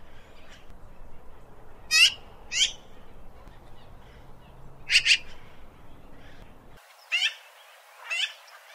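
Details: Harsh, scratchy Eurasian magpie calls, single or paired rasping notes spaced a couple of seconds apart over a low background hiss.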